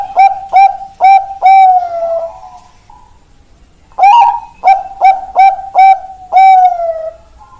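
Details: Zebra dove (perkutut Bangkok) cooing in two phrases: quick short notes running into a long drawn-out coo, a brief silence, then the same pattern repeated.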